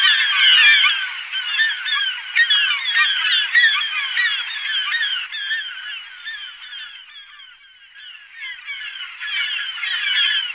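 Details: Glaucous gull calls: a dense chorus of overlapping short, nasal, honking and yelping notes from many birds, continuous for the whole stretch, fading slightly midway then swelling again, with no other sounds.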